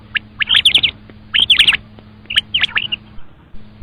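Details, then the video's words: Common quail calling: clipped, whistled notes bunched in quick groups of about three, repeated roughly every second, over a steady low hum. "Batair Ki khobsorat Mote Awazay|Batair Ki moty Awaz|Обыкновенный перепелиный зов |перепелиные звуки"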